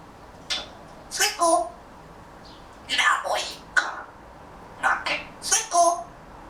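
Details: A pet grey parrot about to take a nap chatters softly to itself in short, speech-like bursts with clicks and whistled tones, pausing between phrases in a quiet room.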